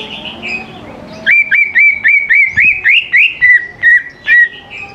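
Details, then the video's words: Greater green leafbird song used as a lure to get young leafbirds singing: a fast run of clear whistled notes near one pitch, each with a short upward flick, repeated about four times a second after a quieter opening phrase. "CUCAK IJO GCOR SANGAT AMPUH BUAT PANCINGAN CUCAK IJO MUDA BAHAN LANGSUNG NYAUT IKUT GACOR DOR"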